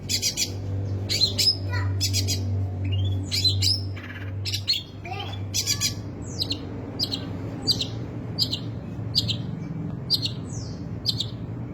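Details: Long-tailed shrike singing abundant, unruly song: sharp high chips, scratchy phrases and thin downslurred whistles spaced about a second apart, over a strong low hum that fades midway.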